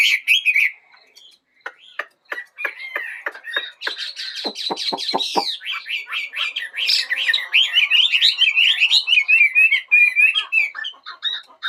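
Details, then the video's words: Bird singing in the morning: a few warbles, a steady series of sharp ticking clicks, then a long continuous stream of fast, varied twittering. "Chào buổi sáng. Mời ae cùng nghe chim hót."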